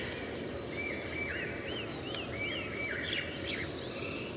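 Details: Rufous-bellied woodpecker (Dendrocopos hyperythrus) in Sattal, Uttarakhand, India, giving a series of short, arched, mid-pitched notes about every half second, with higher chirps mixed in over a steady background hiss.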